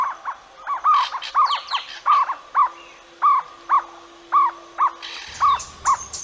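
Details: Jungle owlet, a widespread resident in India, giving a rapid series of short, hollow, mid-pitched notes, about two per second, rising slightly and falling; a faint hum and a brief rustle are heard.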